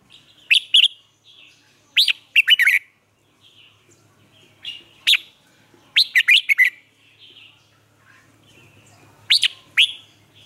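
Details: Caged lure red-whiskered bulbul, Vietnam, singing to excite other bulbuls into song: five snappy whistled phrases with sharp attacks, some soft warbling between bursts, and a faint low hum near the end.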